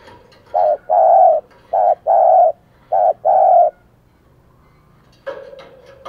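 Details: Wild doves are being lured by a decoy spotted dove's coos: three hollow paired phrases, short then long, about 1.2 seconds apart, then a pause and a burst of rustling noise.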